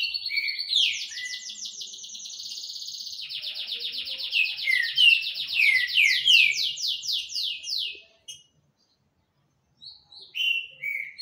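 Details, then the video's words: Rufous-bellied thrush in vigorous song, a long rapid trill of buzzy, repeated downslurred notes running for about eight seconds, then a pause and a fresh burst of whistled phrases. "trinca ferro Shaolin cantando muito"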